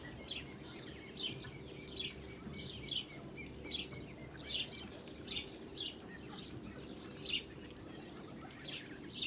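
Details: With their blue Muscovy mother on a farm, 8 July 2017, ducklings peep steadily. The high notes are repeated roughly every second in paired bursts, against a low hum.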